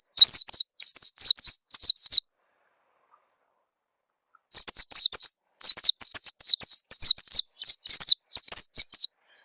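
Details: High-pitched twittering of an Oriental white-eye, used as a lure so raw birds begin singing quickly; fast repeated downslurred chirps in two long bouts separated by a silent stretch.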